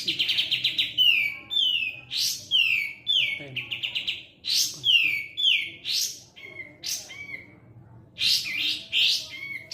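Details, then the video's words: Sooty-headed bulbul singing steadily, bubbly whistled phrases with downward slurs, repeated about twice a second, brief gaps between bursts. "Katem gacor.."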